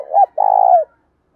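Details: Spotted dove voice for stimulating wild-caught doves: a short rounded hoot, a brief pause, then a long rolling, pulsing coo that eases downward in pitch.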